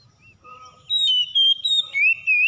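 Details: Spotted dove calling to provoke fighting, a series of soft short coos building into a longer hum, then two loud arched coos and a final clipped note.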